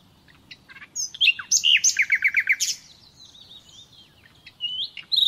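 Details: Nightingale singing for conditioning captive birds: chirps and slurred whistles, a run of five descending repeated notes, soft high whistles, and a closing rapid trill.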